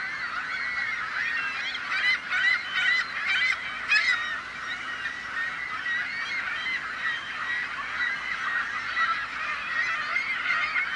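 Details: A noisy crowd of gulls calling all at once, overlapping harsh yelps and squeals forming a continuous din, with louder bursts around the second to fourth seconds.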